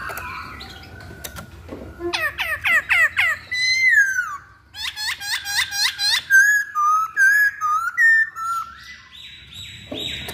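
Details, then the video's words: Chinese hwamei, known locally as poksay Hongkong, singing on a lure recording meant to prompt other birds: a rapid run of five steep whistled notes, then a long sliding tone and quick repeated rising-falling whistles, in a small room. "Pancingan Poksay Hongkong Paling Ampuh"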